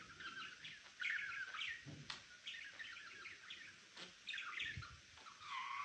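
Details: Pet budgie, a male, chirping in bursts of fast, scratchy warbled notes, with faint thumps and background noise between phrases.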